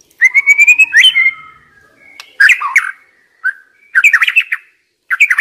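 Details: Young wild white-rumped shama singing, used as a lure: a rising series of quick whistled notes, then short groups of slurred, warbling phrases separated by pauses.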